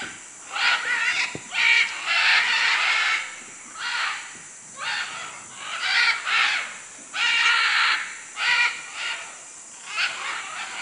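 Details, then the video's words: Raucous squawking from macaws in Manu, Peru, with about ten harsh, hoarse calls spaced roughly a second apart and a sharp click early on. "Guacamayos Manu Perú"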